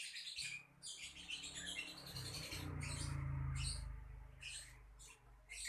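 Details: Lovebird producing rapid harsh chirps and squeaks over a steady low rumbling hum that runs through the whole recording.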